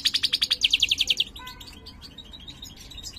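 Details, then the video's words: Mutated European goldfinch of the major form, ringed, singing; its singing is described as poor. A rapid series of bright, high ticking notes opens, repeated about eight times a second, then fading into softer, scratchy twitters. "jilguero mutado cantando (jilguero mayor)"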